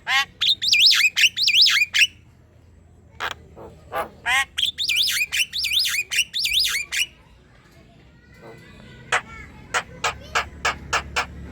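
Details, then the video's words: Black-winged myna chatter for training other birds: rapid wavering, warbled trill phrases for the first seven seconds, a quiet pause, then a row of sharp, spaced clicks. "Suara ocehan jalak kebo gacor"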